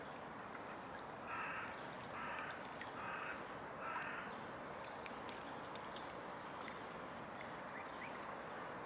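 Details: Mute swan at Neuer Teich on 19 December 2015 around midday: four short nasal, honking notes about a second apart, steady background hiss.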